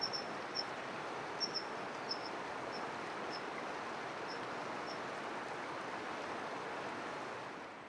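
American dipper giving sharp, high, single 'zeet' notes at irregular intervals of about half a second to a second, over a steady roar of rushing water.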